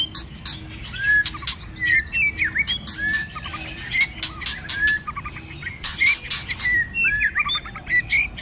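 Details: Shama in full fighting song during the cold season: a string of upslurred and arched whistles with loud raspy broadband notes between them, tempo fast and uneven.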